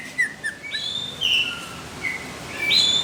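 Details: Sparse greater green leafbird (cucak ijo) phrases in competition style: a few short high chips, then long drawn whistles held steady and a rising whistled note at the end.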